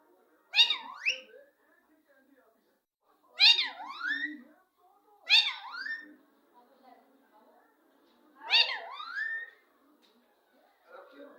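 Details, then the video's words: Parrot described as the most talkative: four loud, harsh, speech-like phrases of wavering, rising and falling notes with squawky upper tones, each lasting under a second, spaced about two to three seconds apart in a quiet room. "sbse jyada bolne wala parrot"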